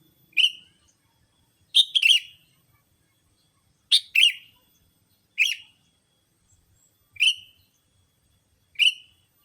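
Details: Bulbul-attracting lure of the sooty-headed bulbul: clean, sharp, rasping chirps, single or paired, spaced roughly every one and a half seconds, with near-silent background.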